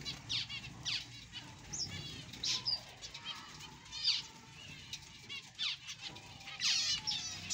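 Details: Newborn zebra finch chicks giving faint, thin, high calls that sweep downward, repeated irregularly about every one to one and a half seconds over a steady low hum.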